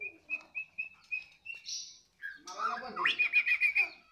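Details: White-rumped shama singing eagerly right after being fed: a steady run of short, bright chirps about four per second, a brief pause, then a louder, dense burst of varied whistled and buzzy notes.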